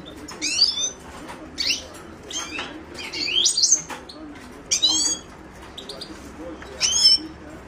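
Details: Song of the Himalayan goldfinch, Carduelis caniceps: about six brief, high, tinkling phrases, each a quick cluster of rising and falling chirps, spaced roughly a second apart over faint background hum.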